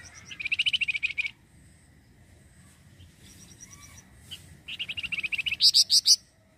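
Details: Flamboyan bird singing a lure recording meant to draw in wild birds: two bursts of rapid, bright chattering notes, each about a second long, with a brief high sharp flourish at the end and a quiet gap between.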